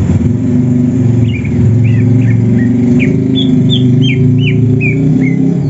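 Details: Morning session of kept greater green leafbirds, Banyuwangi and Sumatra types, prepared for contests and seeking a rival: evenly spaced short whistled slurs, about two per second, over a loud low droning hum.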